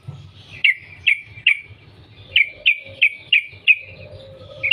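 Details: Sooty-headed bulbul recorded in the wild as a lure to make other bulbuls sing. Bright, sharply downslurred chirps about every third of a second, in two loose series, with a faint lower steady tone behind.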